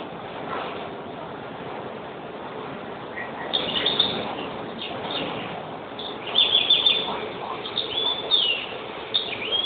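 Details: European greenfinch song with scattered twittering notes early on, then a livelier run of chirps and trills in the second half, all over constant low background noise.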